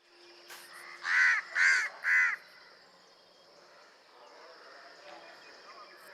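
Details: House crow (Corvus splendens), a common urban city bird with many vocal variations, gives three harsh, nasal caws in quick succession about half a second apart over faint background hum and distant murmur.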